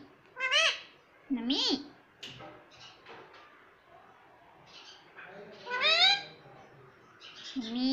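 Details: Talking rose-ringed parakeet imitating "Mummy Papa": loud arched, harmonic syllables at uneven intervals, with quieter murmured sounds between and a final rising syllable, indoors quiet background.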